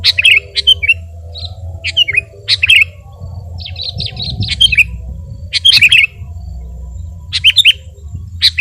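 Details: Sooty-headed bulbul singing vigorously, recorded as tutor and lure audio for training birds: short bright chirpy phrases in separate bursts with brief pauses, some notes sliding down, a low steady hum underneath.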